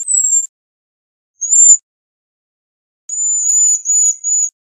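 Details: A cedar waxwing's sibilant high-pitched notes: two short thin whistles, then a longer, slightly trilled series broken into three parts, in otherwise quiet surroundings.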